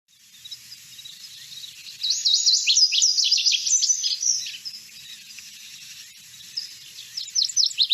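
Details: Lazuli Bunting song near Boise, Idaho: a quick, high tumble of paired, tinkling, musical notes lasting about two seconds, then a few scattered sweet notes near the end.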